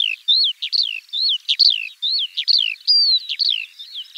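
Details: Continuous skylark song, a spring bird of fields and open land, pouring out quick slurred chirps and falling whistled notes in a dense, fast chatter without gaps.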